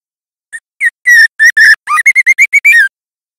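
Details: Juvenile White-rumped Shama (murai batu trotol) practising song, loud clear training audio: a quickening run of about a dozen whistled notes, some sustained, one low rising slur, ending in rapid chips.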